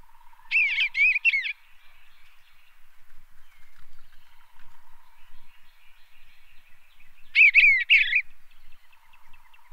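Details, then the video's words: In Tennessee, an Eastern bluebird sings two soft, warbled phrases about six seconds apart, each a quick mellow tumble of notes, over a steady faint background hum. "Eastern Bluebird Song"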